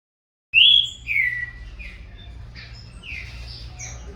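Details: Young green-winged saltator, captive-bred, starting to compete in song with its father: a loud clear whistled phrase, first note falling then a second descending slur, followed by softer distant whistled notes.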